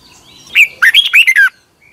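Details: Red-whiskered bulbul in morning song, 2021, recorded as lure sound for training birds: a single short phrase of five clear, bouncing whistled notes lasting about a second, then quiet.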